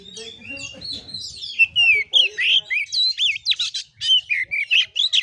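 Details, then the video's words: Oriental magpie-robin singing in fighting style: a rapid, varied string of whistled, sliding and buzzy notes, loud and repeated bursts in the second half, with softer lower chatter and faint voices early on. "KACER NGEPLAY TARUNG|GAYA KURA KURA"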